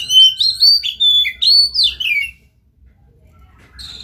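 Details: Oriental magpie-robin song meant to prompt another magpie-robin into singing: a rapid run of clear whistles, bent upslurs and falling glides for two seconds, then near silence before a brief new phrase starts.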